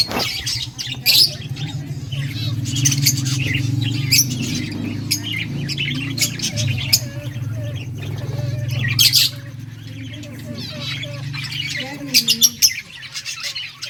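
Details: Several budgies playing during breeding, a busy flock of short high tweets and squeaky notes with some warbled phrases, over a continuous low mechanical drone.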